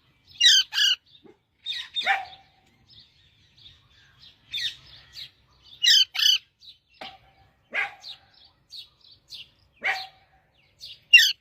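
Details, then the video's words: Parrot giving loud, harsh squawks in pairs every couple of seconds, interspersed with short chirps and clicks, each squawk rich and grating with a descending tail. "parrot singing"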